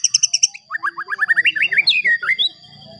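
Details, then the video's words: White-rumped shama song played to provoke other shamas: quick high doubled chips, then a run of about ten rising whistled notes climbing into looping, warbled phrases, over a steady thin high tone. "Pancingan Murai Batu Agar Bunyi Ampuh Bikin Emosi Murai Batu Lain"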